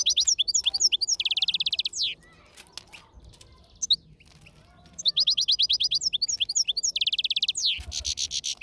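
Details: Lively song of a European goldfinch, bright liquid twitters and rapid tinkling trills with a few buzzy notes, delivered in two fast bursts around a short pause broken by soft clicks.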